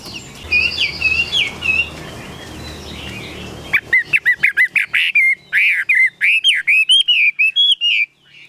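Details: Caged Chinese hwamei from Vietnam: after a softer stretch of twittering over background noise, a loud run of rapid, clear whistled notes, rising and falling, repeated many times in quick bursts for about five seconds.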